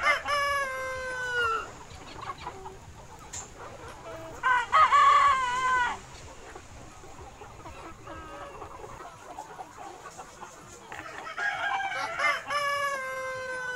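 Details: Free-range flock of Vietnamese Gà Nòi, bantam (Gà Tre) and crossbred chickens roaming a wide garden yard by day. Three loud, drawn-out harmonic calls with a falling tail come at the start, middle and end, with soft clucks and chirps between.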